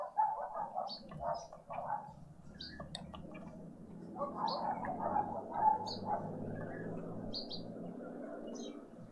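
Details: Green woodhoopoe family group feeding on a spring Sunday morning in Pretoria, South Africa, in a suburban garden. Raspy chattering bursts open the clip, fade, then swell again, with steady high chirps from other birds and a low hum underneath.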